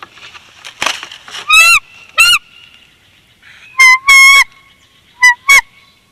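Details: Wild bald eagle pair at their Big Bear Valley nest, filmed by a nest cam on 26 February 2021 while incubating the second clutch. The female gently pries the male off the eggs. High, thin, squeaky chirps come in short paired bursts with quiet rustling between.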